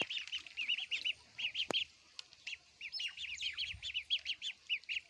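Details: Ducklings feeding, with quick runs of thin, high, arched peeps in bursts and brief pauses, plus one sharp click.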